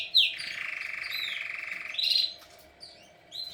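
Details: Singing canary delivering a sharp high note followed by a long, steady rolling trill, then a brief high whistled flourish and a pause before softer chirps, clear against a quiet background.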